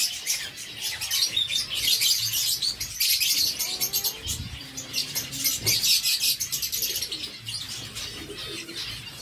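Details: Zebra finches kept by a breeder in Sargodha, feeding on seeds; dense, rapid high-pitched chirps and ticks overlap almost continuously in busy bursts, with brief lulls, alongside faint low thuds and rustling.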